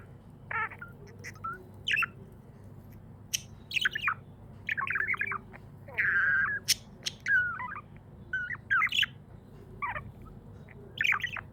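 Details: Happy budgie chirping and squawking: short warbled chirp bursts, one longer harsh squawk in the middle, and scattered clicks, all over a low constant hum.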